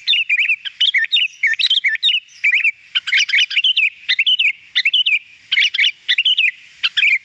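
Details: Sooty-headed bulbul, recorded as a training track for getting a bird to sing, gives rapid bubbly phrases of hooked, rising and dipping notes, repeated in clusters with short gaps, clean and without background noise.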